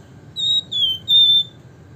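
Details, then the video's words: Javan fulvetta (wergan jawa) in nyiul song: three clean, high, pure whistles. The middle one slides downward, and the last is held longest and is loudest. "flamboyan gacor nembak ngebren nyiul - wergan jawa/Javan fulvetta"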